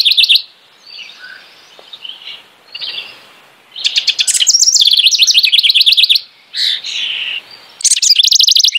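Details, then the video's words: Singing house wren giving two full phrases. Soft chattering notes lead into loud, fast, bubbling trills that tumble up and down, separated by brief pauses with quieter notes. "Singing House Wren.(Troglodytes aedon)."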